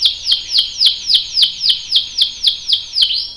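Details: Canary, female calling to prompt a male to sing, gives a clear repeated cuit cuit of high downward-sweeping chirps, about four per second, steady and loud against a quiet background.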